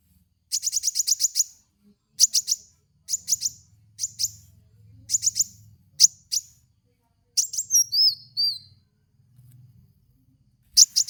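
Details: Van Hasselt's sunbird (kolibri wulung) song used as a lure recording for training cage birds: rapid bursts of very high, sharp ticking chips in short trills, repeated with brief pauses, and a few thin slurred whistles near the end.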